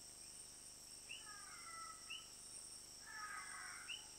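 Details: Hoatzin in Yasuní, Ecuador, giving hoarse, wheezy rasps: two drawn-out harsh bursts with short rising notes between, over a steady high insect drone.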